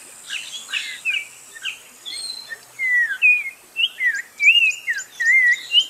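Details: Spot-breasted oriole singing a series of clear whistled phrases that slur up and down, several separate notes over six seconds, with fainter high chirps from other birds behind.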